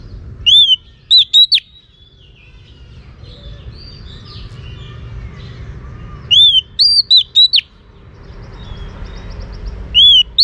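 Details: Female Oriental magpie-robin calling to stimulate males, giving two separate phrases of a few arched whistles and short sharp notes, with long quiet gaps and soft background noise between them.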